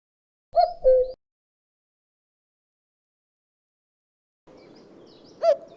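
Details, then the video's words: A common cuckoo gives one clear two-note 'cu-coo', the second note dropping lower; after a pause, steady background noise comes in and another single note follows. "Common Cuckoo Call | The Famous Cuckoo Sound of Spring"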